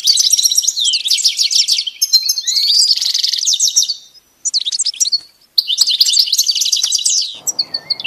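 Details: Goldfinch song for training a pet bird: dense, fast twittering phrases with tinkling notes and rising whistles, broken by brief silences, on a clean recording.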